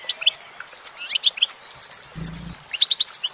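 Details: Short stretch of female goldfinch song, sharp high chirps and liquid twitters tumbling quickly, broken by a brief low buzzing noise.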